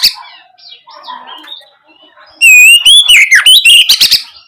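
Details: Faint scattered chirps open the clip, then a loud oriental magpie-robin lure phrase meant to spur young birds to answer: a clear wavering whistle followed by a quick burst of sharp, chattering notes.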